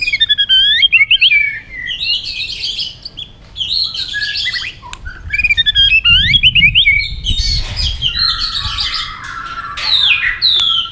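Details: Fighting-style song of a white-rumped shama, quick-beaked and flicking its tail: varied looping whistles and dense chattering bursts alternate, with a faint low rumble midway.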